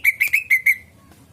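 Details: Greater green leafbird lure song for attracting birds: five clear, high, whistled notes in a fast, even series, the last one trailing off.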